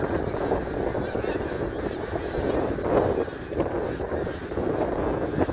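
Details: Large gathering of snow geese at Middle Creek Wildlife Area, 3 March 2022, giving a continuous wall of overlapping honking that swells slightly around the third second.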